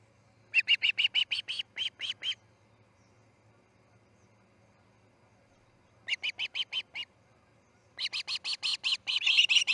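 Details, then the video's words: Osprey at the Charlo nest, morning of 10 August 2018, chick C6 fledging: three bursts of fast whistled chips separated by quiet gaps, the last growing louder and harsher. "C6 fledges - Charlo osprey nest"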